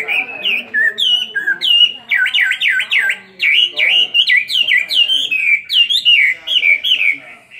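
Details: Two-year-old caged Chinese hwamei in full fighting song, loud clear whistled notes swooping up and down in quick repeated figures, some rapid zigzag trills, phrases delivered almost without pause.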